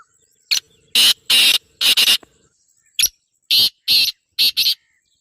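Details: Call of a female black francolin used to draw a male and get a quiet caged male calling: two groups of rough, rasping bursts, several notes each, separated by a brief pause.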